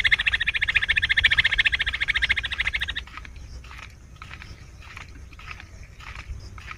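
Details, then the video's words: Bush quail call for hunting: a fast, even trill of rapid pulsed notes for about three seconds, then fainter scattered chirps over background hiss. "bush quail amazing shikar awaaz | quail hunting sound"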